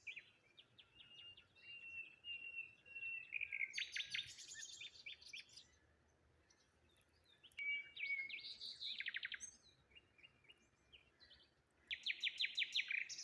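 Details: Wild birds chirping on a morning beside water near a lone tree and rose hips: a long thin whistled note, then bursts of rapid buzzy trills separated by quiet gaps, with a final fast rattling series.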